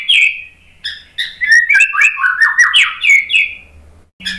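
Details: White-rumped shama lure song meant to coax a bird that is reluctant to sing after moulting. A loud falling whistle opens a quick, jumbled sequence of chirps and slurred whistles that ends in a fading note. A soft low hum sits underneath.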